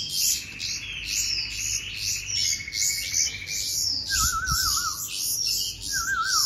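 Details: Bulbul chicks begging during hand-feeding, harsh high rasping pulses repeated steadily, with a low buzzy trill early on and two wavering warbled notes later.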